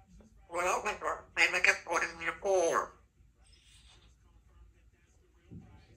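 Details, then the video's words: A 3-year-old female Congo African grey parrot practises her words at home, talking in a run of clear, speech-like phrases for about two seconds, such as "I love you", then falls quiet against faint room noise. "African Grey Talking Parrot while she practices her words and sounds"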